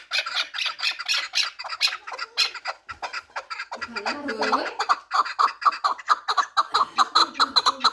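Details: Pamir chukar partridge, four years old and used for fighting and hunting, uttering rapid, scratchy chuck notes overlapped midway by a brief low voice, then resuming in an even series.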